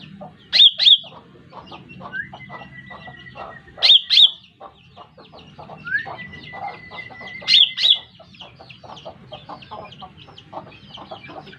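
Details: Bird-trapping lure call of the lesser green leafbird: sharp paired high chirps repeated about every three and a half seconds, a thin whistle between them, and a busy background of faint clicking chirps.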